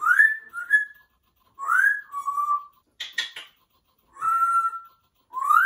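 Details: A captive male African grey vocalizing in operatic fashion, with smooth rising whistles held steady, a brief burst of harsh noisy sounds, then more long sustained whistled tones.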